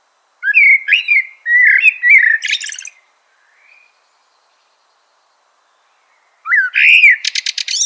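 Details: Eurasian blackbird song made of mellow, fluting whistled phrases that slide up and down, each ending in a rapid high twitter; a faint short note sits in the pause before a final phrase begins.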